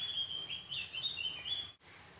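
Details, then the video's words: Javan grey-throated white-eye song, meant to make other birds of its kind answer: a continuous, rapid, high chattering warble with thin whistled notes, then a sudden cut, over a faint hiss. "Opior Jawa manapun pasti Nyaut dengerin suara burung Opior Ini‼️"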